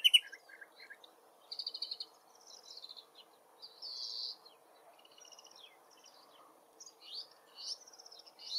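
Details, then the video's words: Distant woodchat shrike singing in forest: a varied medley of short chattering trills, buzzy bursts and squeaky high notes in separate phrases with brief pauses, set against a low ambient murmur. "The Woodchat Shrike Sings"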